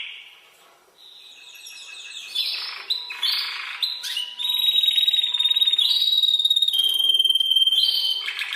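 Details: Tutor song of a Spanish timbrado canary for teaching other birds. The start is quiet, then bursts of rolling notes build into a long, steady, pure-toned trill held at one pitch.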